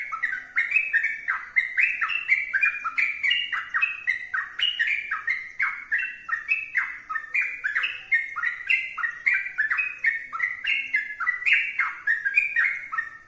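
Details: A sooty-headed bulbul sings vigorously and at length, pouring out bubbly, chattering whistles in an unbroken flow of rising and falling notes for over thirteen seconds.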